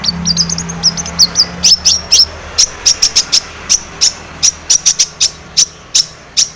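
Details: Long-tailed shrike, a lure recording to provoke singing: long series of sharp, high ticking notes, first in a fast cluster, then steady clicks roughly every third of a second over a soft low hum.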